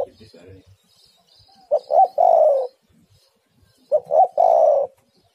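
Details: Female spotted dove calling to a male, used as a lure to prompt doves to call: two deep three-part coos, two short rising notes and then a longer falling coo, about two seconds apart.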